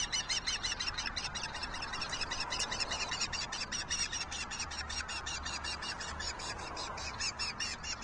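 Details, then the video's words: Juvenile osprey attacking its sibling on June 6, 2023: rapid, shrill chirping notes repeated unevenly, some doubled, against a noisy, hissy background with low rumble. "Juvenile Osprey Viciously Attacked Sibbling"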